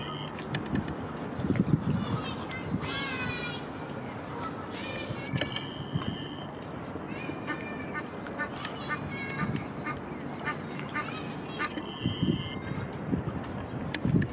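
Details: Egyptian goose (Alopochen aegyptiaca) father in Heidelberg defends his offspring against other Egyptian geese, giving harsh, honking calls, some with wavering pitch, in short bursts over low background noise and faint voices.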